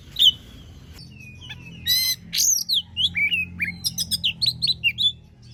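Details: Oriental magpie-robin (kacer) training song: a sharp opening note, harsh rasp, then a series of short whistled and chattering notes repeated quickly over a low hum.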